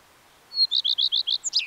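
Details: Song of the common redstart: one pure high whistle, then five evenly spaced, rising-falling repeated notes, closing with a short high squeak and a scratchy trill in a quiet setting.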